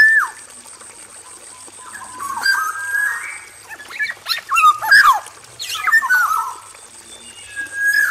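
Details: Black-naped oriole male in an aviary: a short falling whistle, then louder flowing whistled phrases with sharp rasping bursts near the middle, ending with a clear sliding whistle.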